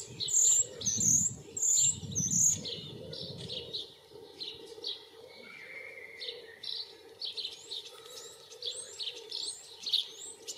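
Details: Common starling singing while courting, recorded with a Panasonic Lumix DC-FZ82 camera: sharp high whistled notes repeat in the opening seconds, then a varied stream of warbles, clicks, rattles and a drawn-out whistle, with low rumbling noise at the start.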